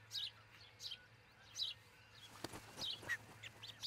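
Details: Osprey pair's nest in Charlo, Montana, on a camera before dawn on 22 June 2018; scattered high, squeaky chirps with a sharp knock in the middle and a steady low hum beneath.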